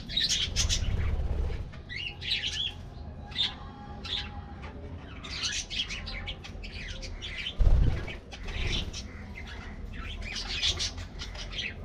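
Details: Colorful budgerigars in an aviary colony getting their morning diet treat: bursts of sharp, high chirps and warbling chatter from several birds, pausing and resuming in clusters, with a low rumbling background and a brief thump near the end.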